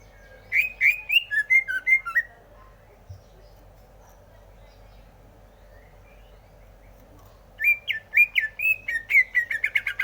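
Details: Greater green leafbird singing in two bursts: a run of chirpy, up-and-down notes near two kilohertz, then a few seconds of near silence, then a quicker burst of sharp twittering notes at the end.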